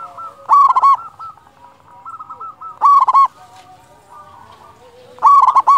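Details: Local Zebra Dove with a large voice, singing to draw out other doves: three loud trilled coo phrases about two seconds apart, with faint soft cooing in between.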